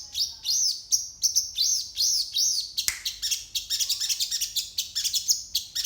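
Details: Morning song of a crested jay, isian style: about six clear arched whistles at steady intervals, then a sharp downward note and a rapid string of high clipped chirps and trills.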